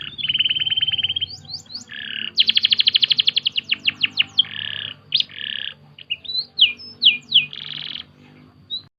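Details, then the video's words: Canary song used as training material for other birds: a steady high trill, then a burst of fast rising notes, short buzzy rolls and separate sharp upswept chirps, with brief gaps between phrases. "full masteran kenari"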